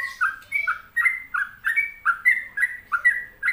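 A yellow-vented bulbul sings a bubbly run of quick, liquid two-note phrases, low then higher, repeated about twice a second.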